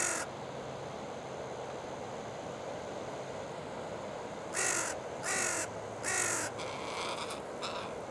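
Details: Wild carrion crow family feeding by the water on the Oita River, 8:12 on October 15: quiet background, then a run of five hoarse, grating caws close together, the last two softer.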